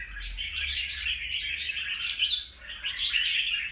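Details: Red-whiskered bulbul, wild-caught and past two moults, delivering a continuous babble of sharp chirps and warbles, briefly dipping near two and a half seconds before resuming, over low rumbling noise.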